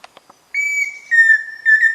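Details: A few soft taps, then a pheasant cuckoo's three pure whistled notes: a long level first note, then a slightly lower second and a brief third, clean against a quiet background.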